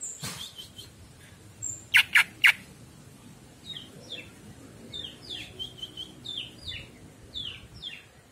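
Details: Greater green leafbird (cucak ijo) song used as a master recording for training pet birds: a quick run of short, downward-slurred chirping notes, several per second, after a few sharp loud clicks near the start.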